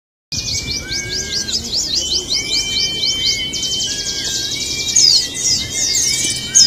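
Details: Javan white-eyes in a simulated songbird contest, a dense chorus of rapid, high, scratchy twittering overlapping continuously, with clear lower whistled notes sliding across beneath.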